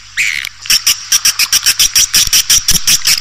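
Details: Edible-nest swiftlet lure call of the 'Raja Liur Emas' kind, used to pull birds into a swiftlet house: one brief buzzy note, then a regular string of about twelve loud, clicky chirps with a high whistled edge.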